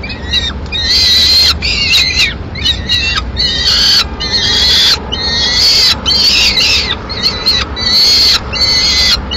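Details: Peregrine falcon chick, alone in a Madrid nest on 22 May 2016, begs as the female keeps the swift brought by the male. Strident, harsh wails come in a near-continuous run, each about a second long.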